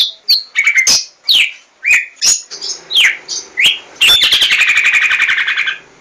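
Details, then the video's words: Lure song from a white-rumped shama to make birds sing: varied sweeping whistles and chirps, ending in a long rapid buzzy rattle. "Suara Pancingan Burung Murai Batu"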